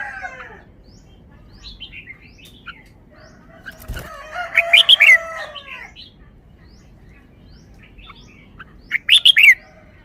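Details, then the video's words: Red-whiskered bulbul kept in a cage, singing in the wild-song style: short scattered chirps, a burst of loud, rich, tumbling whistled notes at midpoint, then a brief bright phrase near the end, with a single thump. "นกกรงหัวจุก 1033 จ้าวมาดี สำนวนดี"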